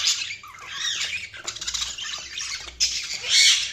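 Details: Several budgerigars twittering in a continuous, busy warble of high squeaky notes and rapid chirps, ending with a louder harsh squawk.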